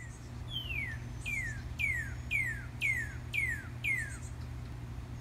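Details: A male Northern Cardinal (Cardinalis cardinalis), singing between bouts of preening, gives a series of seven clear, slurred whistles, each dropping steeply in pitch, about two per second, over a steady low hum.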